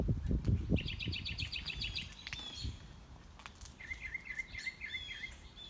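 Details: An unseen mockingbird on a morning walk works through its repertoire: a fast run of repeated chirps, a pause, then a new series of repeated warbled notes, with crunching footsteps at first.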